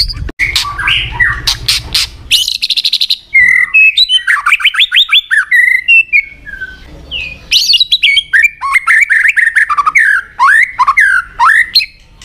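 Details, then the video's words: White-rumped shama (murai batu) song: a varied, loud stream of clear whistles, upward and downward slurs, and harsh rattling trills, phrases pouring out almost without pause. "PANCINGAN MANTAP BIKIN MURAI LOYO ANDA JADI MAKIN FIGTHER"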